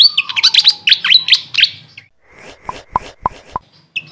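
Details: Grey fantail, or Maria Capra, with a quick burst of high sweeping chirps in the first half, followed by softer sharp clicking notes at a lower pitch.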